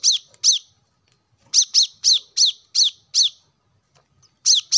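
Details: Plain-throated sunbird song for stimulating caged birds: bursts of rapid, very high, sharp chip notes in series of two to five, separated by short silences.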